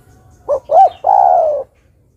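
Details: Female spotted dove calling to a male: two short, soft coo notes followed by one long, drawn-out coo that slowly falls in pitch at the end. The background is otherwise quiet.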